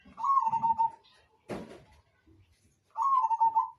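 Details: Zebra dove of the Majapahit type singing: two clear pulsed cooing phrases, each under a second, starting slightly higher then settling into a level, rolling coo, separated by a pause with a brief soft rustle.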